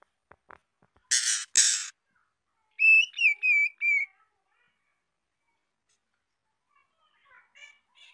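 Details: Young female white-rumped shama singing to stimulate males: two harsh, rasping bursts, then a short run of clear, wavering whistled notes that rise and fall, ending in quiet.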